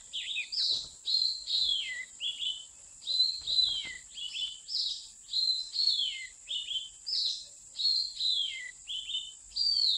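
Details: Wild Oriental magpie-robin at a mountain trapping site repeats short, clear whistled phrases that often fall at the end, roughly every half second to second, over a steady high electronic tone.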